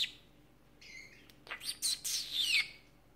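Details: Female pet canary, recorded 25 February 2018, 'conversing' with its owner: a few soft chirps build into loud, rapid, bright twittering with quick descending high notes, then fade to quiet.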